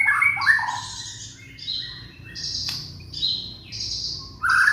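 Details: Young white-rumped shama from Indonesia, its song used to draw song from silent shamas: rich whistles followed by harsh buzzy high phrases and a sharp click, ending in a loud whistle.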